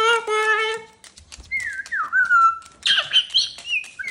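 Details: Pet cockatoo at home around sunset: a hooting harmonic note opens, then a clear whistle glides downward, followed by harsher squawky chirps and a short rising whistle.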